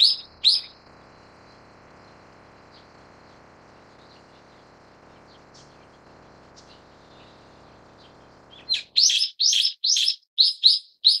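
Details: Brown-eared bulbul, subspecies Ixos amaurotis harterti: two sharp, shrill, high calls open, followed by a long near-silent stretch with faint low hum, then a fast burst of about eight loud, strident chirps at the end.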